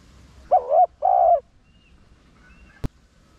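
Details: A Spotted Dove, used as a lure to draw in wild doves, gives two low, hollow cooing notes in quick succession, the second steadier, followed by a sharp click.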